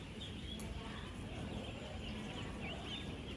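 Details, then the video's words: Young ducklings, ten days old, massed by the thousands on a farm: continuous high peeping with some rising, upswept notes near the end, over a dense low hum. "16,000 Ducklings Making AMAZING Sounds!"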